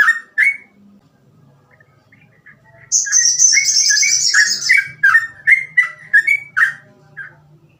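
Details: Sooty-headed bulbul singing in the fast 'gacor ropel' style: two loud whistled notes, a pause, then a long high hissing chatter under a quick string of mellow, slurred notes.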